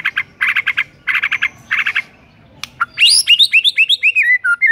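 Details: Morning song of a white-rumped shama, meant to provoke a rival shama into singing: clusters of fast harsh chattering notes, then a bright sequence of high swooping whistles that slide downward.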